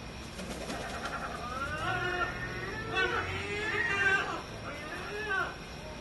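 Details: Gulls gathered in a noisy group, giving harmonic mewing calls that rise and fall, several overlapping wails over about six seconds, with a low steady hum underneath.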